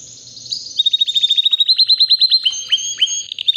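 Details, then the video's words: Three-year-old white canary in powerful song: a high thin whistle gives way to a long, fast run of evenly repeated sharp notes, then slower rising chirps near the end. "BEAUTIFUL WHITE CANARY NON STOP POWERFUL SINGING"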